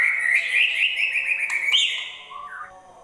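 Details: White-rumped shama said to be in top singing form and ready for a songbird contest in Indonesia; a continuous rapid warbling trill holds a steady pitch, jumps higher briefly, then fades into a lower slurred whistle.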